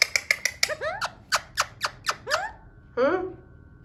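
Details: Pet Alexandrine parakeet trying to talk, with a quick string of sharp clicking notes that slide into downward-bent chattering syllables, then a pause and one drawn, rising squawk over low background rumble.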